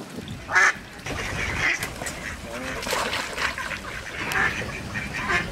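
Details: A female (hen) Mallard quacks, short nasal bursts coming every second or so, some soft and some louder, over a low murmur of background noise.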